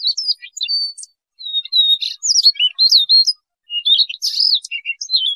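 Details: Rubythroat song recorded for trapping: a thin, level whistle, then rising and falling warbled notes and scratchy chatter in phrases split by short pauses, loud and clean.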